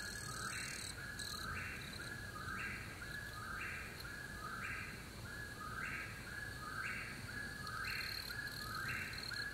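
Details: An Eastern Whip-poor-will in Pickett State Park, Tennessee, on a moonlit night, repeats its clear, rolling three-part whistle, rising sharply at the end, about once a second, over a steady drone of night insects.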